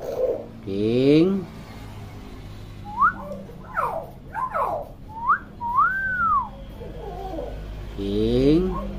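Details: Chatty common hill myna kept as a tutor bird for young mynas: short rising and falling whistled slurs, one long arched whistle, with a buzzy harmonic voice-like sound at the start and end.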